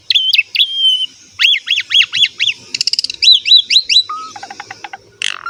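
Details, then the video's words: Asian pied starling song used to coax young birds, male or female, into singing: varied whistled notes, a run of rising upslurred whistles, rapid ticking bursts and harsh squawks, loud and clear. "PANCINGAN BURUNG JALAK SUREN SUPER GACOR FULL ISIAN MEWAH"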